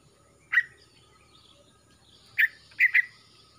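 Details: Young male greater green leafbird from Kalimantan, black appearing on its fore-neck after the mottled stage, gives a few short, sharp whistled notes spaced apart, with one quick double note near the end against quiet background.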